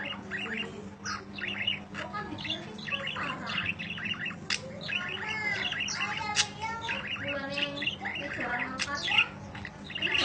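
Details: A budgerigar chirps at length as training audio for other birds: dense, fast twittering of sharp high chirps and scratchy notes in rapid bursts, with a steady low hum beneath.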